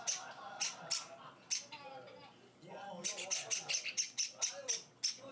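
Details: Java sparrow chicks, several kept as pets on their fourth day in a new home, being hand-fed. They give bursts of sharp, high, buzzy chirps, with a quiet gap before a faster run of chirps. A person talks softly underneath.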